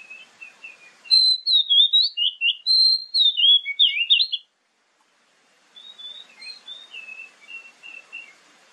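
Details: Oriental magpie-robin lure song, played morning and evening so other magpie-robins reply: a loud three-second run of sweet, varied whistles and slurred notes, then a pause and fainter chattering warbles.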